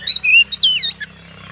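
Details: Oriental magpie-robin giving vigorous ngeplong song as a lure to rouse birds to fight. Brief loud whistles are followed by a tangled, sweeping phrase and a short final chirp over a steady low hum.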